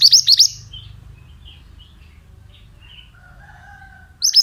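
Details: Male pied bushchat (mantenan), mountain type, in a lure recording: a quick run of bright downward-hooked chirps, a pause with faint soft notes and a low drawn-out tone, then the chirping restarts.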